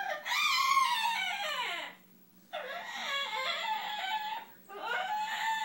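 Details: Pet bird calling whenever it thinks it has found a good nesting spot: long, wavering, harsh nasal wails, each sliding downward, in three drawn-out bouts separated by short pauses, with a faint steady hum indoors.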